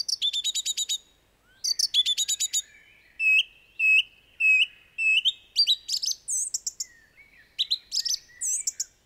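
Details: Song thrush (Turdus philomelos) singing loud, varied phrases, repeating each two or three times in quick succession: rapid high chirps, then clear whistled notes and squeaky figures.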